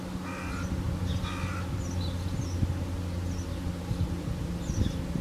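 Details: Crow at dawn producing two loud, grating caws about a second apart, then quiet except for a persistent low hum and faint scattered distant chirps.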